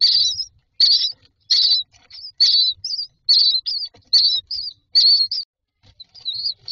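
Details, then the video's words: Baby mynas in a nest box calling for food: high, buzzy chirps in regular short bursts a little over once per second, each burst ending in a wavering squeak. "Babies bird asking for food #nest #myna"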